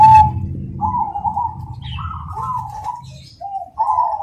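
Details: Zebra dove of the cemani variety: a brief bright note, then smooth rolling coos rising slightly and tumbling down in short trills, ending with two separated coo phrases over quiet background.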